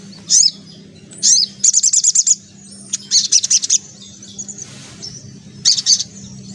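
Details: High-pitched white-breasted woodswallow giving vigorous ngelaper ngriwik song: single sharp notes, then fast stuttering runs of squeaky chirps repeated in separate bursts, over a constant low electrical hum.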